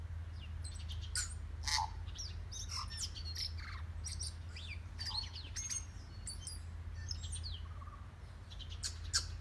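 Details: Black tui at Rainbow Falls, Kerikeri, New Zealand, calling and answered by another tui in the distance; rapid mix of clicks, sharp high notes and brief whistles, with steady low waterfall rumble throughout.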